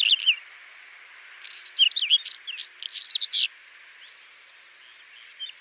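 A Whinchat sings a brief, scratchy phrase of rapid twittering notes mixed with higher whistles, about two seconds long, with a few soft chips before and after.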